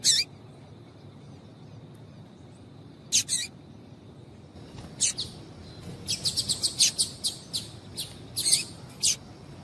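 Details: Female double-collared seedeater call, used to get males singing: short very high sharp chips, single or paired, with long pauses early, then a faster irregular series of about a dozen notes toward the end.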